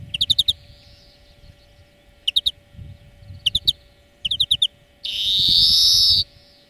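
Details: European greenfinch song from a lesson recording meant for training birds: short bursts of rapid ringing trilled notes repeated about once a second, ending in a long drawn-out nasal wheeze.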